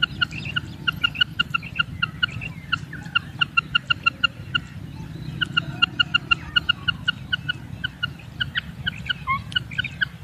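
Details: Kirak raising call of a female common quail, a long run of short sharp double-pitched pips in rapid bursts with brief pauses, continuing throughout over constant low-pitched background hum.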